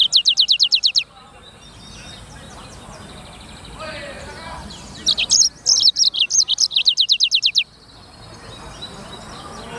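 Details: Black-throated canary, known locally as sanger or blackthroat, singing chattily as clear training material: a rapid trill of rising high notes, a quiet pause with faint background sounds, then a bright stretch of varied sharp notes closing in repeated upswept whistles.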